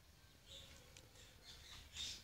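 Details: Pet cockatiel kept indoors while being looked after for a family member; short, harsh high squawks at about half-second intervals, the last one loudest, over a low room hum.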